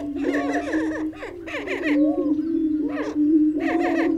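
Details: Great steppe grouse calling, a deep, steady humming drone under bursts of quick, rising and falling cackling notes that come and go in short clusters.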